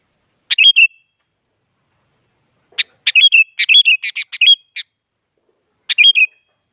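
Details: Active sooty-headed bulbul song aimed at making other bulbuls sing: a short whistled phrase, then a longer run of rapid, chattering, bouncing notes, and a closing phrase like the first.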